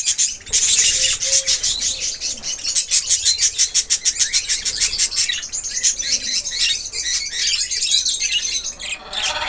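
Budgerigars chatter continuously in high, scratchy chirps and warbles, several birds overlapping in a busy, unbroken flock twitter.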